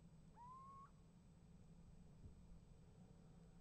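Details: Little owl calling at a nest box on 28 January 2015 and getting an answer: one clear whistled note, about half a second long, sliding upward and then holding level, over a steady low rumbling hum.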